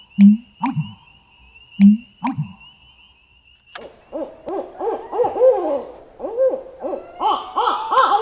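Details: American bittern gives two deep, gulping double booms of its pumping call over a thin steady whine, before different arched, honking calls follow.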